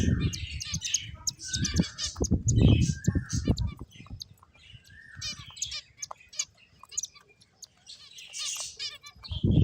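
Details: Several finches chirping together: bursts of short, high, buzzy tweets and trills come in quick irregular runs, with occasional low thumps and rustling underneath.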